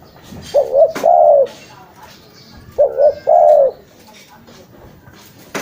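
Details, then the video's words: Spotted dove calling for luring birds, two phrases each of short paired coos then a long descending coo, spaced about two seconds apart, with faint clicks in the background. "SUARA FULL BURUNG TEKUKUR."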